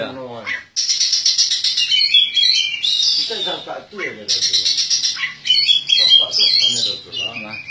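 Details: Caged Oriental magpie-robin, a contest winner, sings long bursts of buzzy trilling and sharp whistles interspersed with harsh chattering notes, pausing briefly between phrases.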